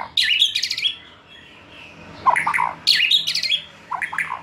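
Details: Young White-rumped shama taken from the forest, just out of the spotted juvenile stage, in a singing recording meant to lure: harsh, buzzy high chatter alternating with lower, chunky warbled notes in repeated phrases.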